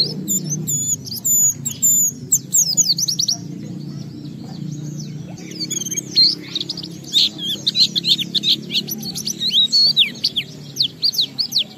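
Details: Oriental white-eye, a caged bird used as a lure to provoke other white-eyes to sing, open-billed and full of varied material; rapid high chirps and sweeping whistled notes in quick bursts, with steady low background hum.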